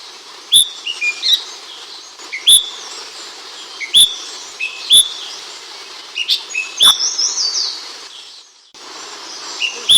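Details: Ashy bulbul chirping, recorded as a master bird: sharp high chirps roughly every one to two seconds, each followed by softer descending twitters, with a brief burst of faster notes near the end.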